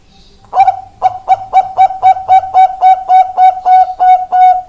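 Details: Bangkok-type zebra dove, recorded on 4 March 2023, giving a fast series of short, mellow, low-pitched coos, about four per second, evenly spaced and steady in pitch, with a faint low hum early on.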